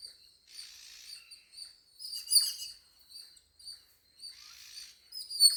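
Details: Sparse, thin chirps from birds at home come in separate short bursts with quiet gaps between them.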